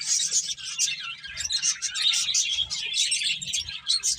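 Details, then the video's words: Chattering finches, eating and playing, give a nonstop stream of high, thin chirps and trills without pause, several voices blended together. "Cute Birds Chirping Sounds | Beautiful Finches Eating and Playing"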